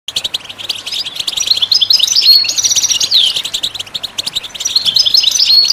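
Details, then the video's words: Goldfinch song, a recording meant to stimulate other birds to sing: fast, liquid twittering with bright rising and falling whistles, continuous and busy throughout with a short lull near the start. "How do you make your bird goldfinch song in its first minute ?"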